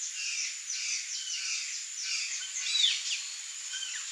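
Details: Flock of Chopi blackbirds singing together: a dense, overlapping chatter of short chirps and slurred whistled notes, continuous throughout with a brighter burst near the end, over a steady high hiss.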